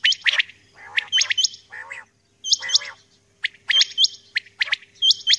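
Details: Female common quail calling early in the morning: repeated pairs of rising-falling whistles with sharp chirps and a few rougher, harsher notes between them.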